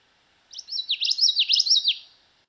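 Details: Common Yellowthroat song, a common Kentucky spring-migrant warbler: a fast, bright run of about four repeated three-syllable 'wichita' phrases, high-pitched and rolling, over two seconds in a quiet background.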